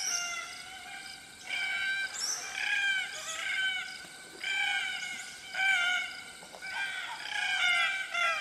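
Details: Red-tailed Black Cockatoos calling in woodland on the Atherton Tablelands, Queensland, tropical northern Australia: creaky, grating, plaintive squawks with rich harsh overtones, given in a steady series of about seven calls over eight seconds, with Pacific Koel and lorikeets calling in the background.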